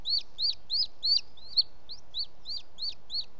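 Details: Male booted eagle bringing an unidentified bird as prey to the nest late in the evening, 18 June 2017 at 20:09, Els Ports Natural Park: a fast series of about ten high, sharp, hooked whistled notes.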